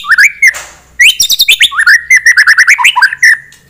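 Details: White-rumped shama song aimed at raising a rival's anger: a dense, energetic string of sharp chirps and bouncing whistled notes with quick up-and-down slurs, delivered almost without a break.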